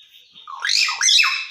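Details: Talking hill myna mimicking human speech, said to be telling people to pray namaz; a single loud, brief burst of warbled, sliding tonal notes that rise and fall over about a second, with no other sounds.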